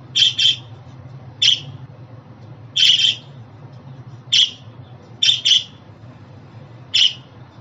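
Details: Pet budgerigar calls: about ten short, rough chirps, several given in quick pairs, separated by pauses of one to one and a half seconds, with a quiet low hum.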